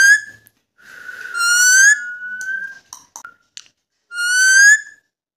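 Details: Indian ringneck parakeet kept as a pet, whistling back and forth with its owner: a brief whistle, then a long drawn whistle that swells and fades, a few short chirps, and a final rich whistle.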